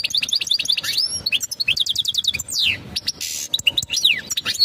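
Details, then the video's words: European goldfinch mating call, sung to prepare the female for breeding: rapid high twittering and tinkling notes, with quick repeated chirps, buzzy slurs and sweeping downward trills in a fast, busy stream. "تغريد الحسون نذاءات التزاوج لتجهيز أنثى الحسون"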